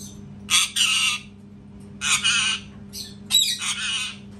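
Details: Parrot screaming very loudly, giving three harsh, raspy screams of about a second each, some broken into two pulses, over a steady low electrical hum.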